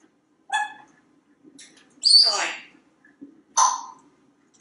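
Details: Talkative pet male African Grey Parrot indoors in a Texas home, sitting on a kitchen faucet. Gives sharp, high chirps and a longer squawk with a falling tail, separated by short pauses over a steady household hum.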